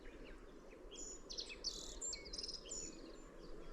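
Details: Middendorff's grasshopper warbler singing: a busy burst of high, chirping and ticking notes that rise and fall quickly, with some notes overlapping, over a steady low rumble of background noise.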